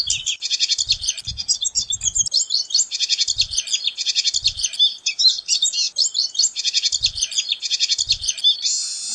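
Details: Pine siskin singing a continuous, rapid twittering run of high chirps and trills, with a short buzzy note near the end; low muffled thumps recur in the background.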